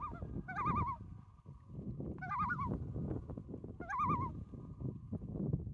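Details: Loons calling on Boya Lake in British Columbia, Canada, recorded from a canoe: three separate bouts of rapidly quavering, laughing tremolo notes about every two seconds, with a lingering lake echo and low water rumble beneath.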